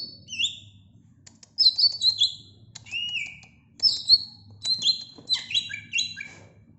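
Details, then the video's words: Song of a greater green leafbird, a varied run of high whistled and chirping notes, some dropping in pitch, delivered in bursts after a short pause, rich and musical in a quiet setting. "Kicau Cucak ijo"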